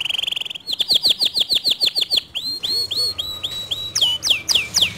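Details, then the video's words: Canary singing to provoke rival canaries into song: a buzzy opening, a run of repeated downslurred whistles, slower liquid notes, then sharp high sweeping notes. "Suara Kicauan Kenari ini Sering Kali Memancing Emosi Kenari Lain Agar ikut GACOR DOR"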